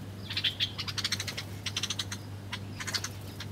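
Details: Birds chirping while feeding at breakfast: clusters of short, sharp, high chirps in quick bursts, about a dozen notes in three seconds, with a few brief pauses, over a steady low hum.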